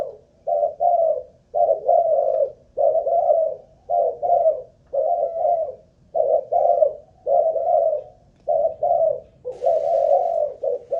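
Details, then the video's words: Malaysian-line spotted dove, a ground decoy bird on an endurance test, keeps up a continuous series of rounded paired coos about one per second, with a short hiss of noise near the end. "Cu Gáy Mồi Đất || Test nước bền chim cũng thấy khá ổn"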